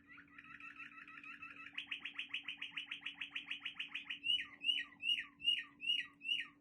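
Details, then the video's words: Waterslager canary from Quetta singing: quick rolling trill that steps up into a stronger pulsed roll, then slower separate slurred whistles repeated about twice a second; steady low hum beneath. "Quetta waterslgar canary singing very nice"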